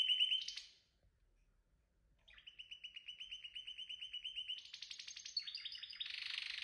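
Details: Canary singing a quick high phrase, then a pause of over a second. Next come a clear, evenly pulsed trill, a higher buzzy trill and a dense, scratchy rapid passage.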